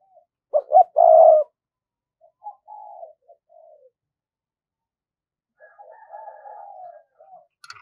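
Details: Spotted dove decoy cooing in 'giọng thổ' style to lure wild doves. One strong phrase of two short notes and a long low coo, followed by soft, wavering murmured cooing.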